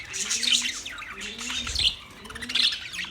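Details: Budgies recorded 9 March 2024 give a rapid stream of bright, scratchy high chirps in pulsing bursts, with soft low drawn-out tones beneath.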